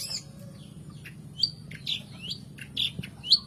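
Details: Lure recording of a long-tailed shrike (cendet, pentet jawa) meant to coax lazy caged birds into singing: sparse high, sharply rising whistled strokes with scratchy chips, quicker toward the end, against a faint low background rumble.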